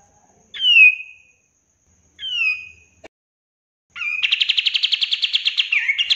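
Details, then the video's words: Cream-vented bulbul master song for training caged birds: two sharp descending whistles spaced well apart, followed by a long rapid pulsing rattle of repeated notes that ends with a short twisting phrase. "SUARA BURUNG KAPAS TEMBAK LANGSUNG RESPON DAN GACOR dengan MASTERAN KAPAS TEMBAK GACOR!"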